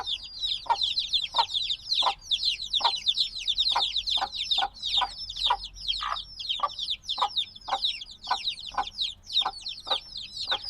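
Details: Days-old black chicks peep continuously in a busy chorus of sharp, high, downward-sweeping chirps, several birds overlapping, while lower clicks and taps recur throughout against a faint background hum.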